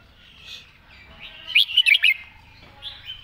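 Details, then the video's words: Red-whiskered bulbul in 'master song' style, soft warbling leading into a quick series of four loud, bubbling whistled notes at about 1.5–2.1 seconds, then quieter trailing notes. "วางสำนวนชัดๆ"เดินเพลงแม่บท ชัดถ้อยชัดคำ"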